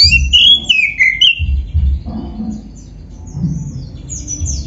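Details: Black-breasted oriental magpie-robin singing, played so other magpie-robins join in: a cluster of rich whistled notes in the first second and a half, then low rumbling background with only faint high notes.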